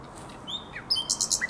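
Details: Common nightingale song at the Żerań Canal, night of 23–24 April 2022: a few thin whistled notes, then a rapid run of loud, clipped, very high notes repeated about ten times a second.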